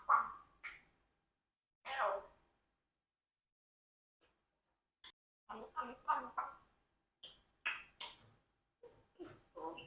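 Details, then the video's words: Congo African grey parrot, a four-year-old adopted pet kept indoors with a flock, speaking short human-like phrases in bursts with pauses between, mid-pitched voiced syllables, some laughter nearby. "Unexpectedly Talkative Parrot Rocky Stole My Line"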